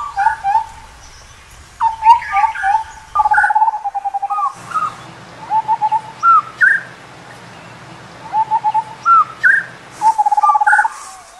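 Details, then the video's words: Indian scimitar babbler giving mellow, fluty hoots in quick bubbling runs, answered by rising whistled notes, repeated every few seconds over a low hum. "Indian Scimitar Babbler Call"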